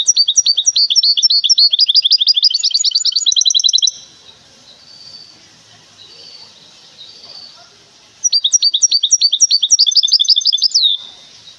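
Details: A large goldfinch hybrid from Temara sings two bursts of fast, bright, high twittering notes, about four seconds each, with a quiet pause between them.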